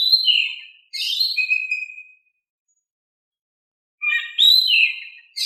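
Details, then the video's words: Oriental magpie-robin, whose lively song is used to coax quiet birds into singing, gives a slurred whistled phrase with a trailing note, falls silent for about two seconds, then resumes with fresh rising and falling whistles. "Kicau Kacer Gacor Suara Kalem cocok untuk bikin Nyaut Kacer Malas Bunyi"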